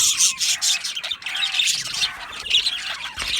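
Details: Happy budgerigars in a colony aviary chirp and chatter nonstop, dense overlapping scratchy warbles and squawky notes from several birds.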